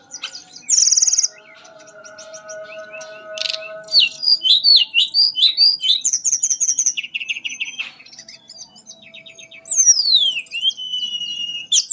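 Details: Mangrove blue flycatcher singing a melodious, flute-like song: varied sweet whistled phrases, rapid chirped notes and downslurred and rising whistles with pauses between bursts, over steady faint low tones.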